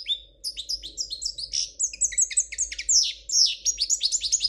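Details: European goldfinch performing a mistake-free royal Spanish song: separate high chirps at first, quickening into twittering phrases and liquid trills, with a low hum in the background.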